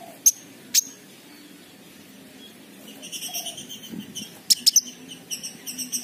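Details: King konin sunbird lure for raw, silent birds: two separate piercing high ticks, then a softer stuttering twitter of repeated thin notes with a brief cluster of three sharp chips.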